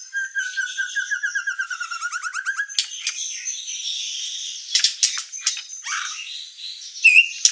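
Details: White-rumped shama song opening with a steady buzzy trill for nearly three seconds, followed by scattered sharp clicks and short high notes at lower volume.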